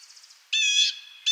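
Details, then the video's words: Single blue jay call, a harsh, buzzy, slightly ringing note lasting under half a second, followed by the start of another, with a faint high twittering beforehand. "Blue Jay Sounds"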